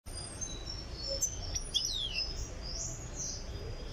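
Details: European goldfinch from Tiaret, Algeria, being brought toward singing readiness, giving thin high twittering notes and short buzzy slurs, rather faint over a steady low background hum.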